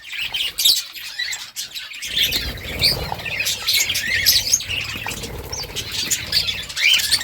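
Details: Several budgerigars chirping: dense, overlapping high chatter of short squeaks and warbled notes running almost continuously, with a quieter opening second before the flock noise builds.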